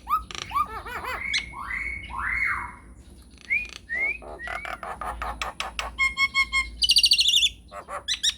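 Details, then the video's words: Nias hill myna, a lure recording meant to make other mynas answer, in a long rolling song: loud rising whistles and slurred upward notes, then dense bursts of harsh clicks and a high buzzy rattle, with a steady faint hum underneath. "PANCINGAN / MASTERAN JALAK NIAS GACOR NGEROLL PANJANG, BIKIN NYAUT | MYNAH BIRD CALLING"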